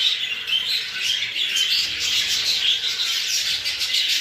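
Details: English show budgerigars, exhibition and hogoromo types, in a dense flock of continuous high twittering chatter with scattered squawks, many birds overlapping throughout.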